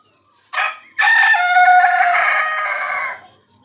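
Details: Desi rooster crowing: a short opening note, a brief gap, then a long, loud, harmonic crow held for about two seconds that slowly fades, with a quiet background.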